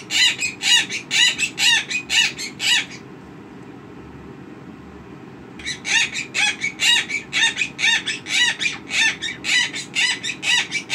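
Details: A 5-year-old female rescue Monk (Quaker) parakeet at 4:42 am gives harsh, raspy notes about twice a second, pauses, then resumes over a faint low hum; owner suspects sex noises, possibly alarm-clock imitation.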